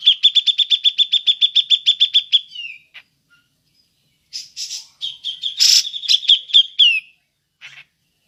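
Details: Grey-cheeked bulbul (cucak jenggot) ngepik call, used as a lure: a rapid, regular series of about fourteen sharp 'pik' notes ending in a slurred fall, then harsh rasps mixed with further pik notes and a final short burst.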